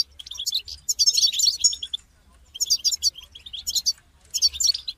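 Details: European goldfinch call-song meant to motivate a caged goldfinch to sing: dense bursts of bright twittering, buzzy and liquid notes in three phrases about one second long, separated by short pauses.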